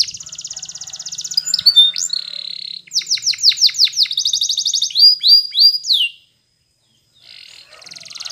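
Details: Yellow Spanish Timbrado canary in full song: a rapid buzzy roll, strings of quick falling notes and looping whistles, then a pause of about a second before a soft trill restarts.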